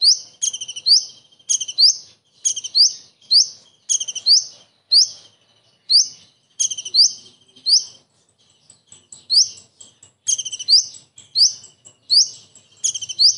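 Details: Common iora pouring out copied kingfisher material. A long run of high chattering triplets and quick upslurred whistles is broken by a brief pause midway, then resumes. No other sounds are clear.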